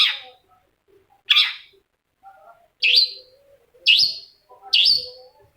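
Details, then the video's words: Long-tailed shrike song used as a lure to provoke a quiet shrike into singing: harsh, rasping high notes with a sharp upward sweep, repeated about once per second with short pauses, and soft low chatter between them. "PANCINGAN CENDET MALAS BUNYI SEKETIKA CENDET LAIN LANGSUNG NYAUT!!! | Singing of shrike bird"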